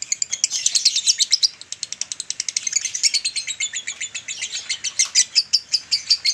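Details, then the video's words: Male lovebird giving a long ngekek panjang chatter in the dobelan style, used as a master recording to train adult males to sing longer; fast, continuous rattle of sharp high notes, about five to six per second, sustained throughout. "masteran jantan durasi REAL!!!masteran jantan dobelan"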